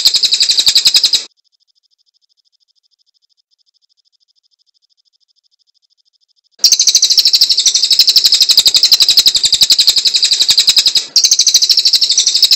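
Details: Cililin in loud, sharp song: fast, high, shrill chattering notes delivered in dense bursts about four per second, a first short burst, a pause of several seconds, then a long sustained stretch with a brief break near the end.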